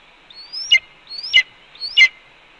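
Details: Red-tailed hawk at the Cornell nest in early afternoon, calling as its mate calmly eats a pigeon. Three drawn-out upward whistles, each breaking into a raspy burst, are spaced roughly 0.6 seconds apart.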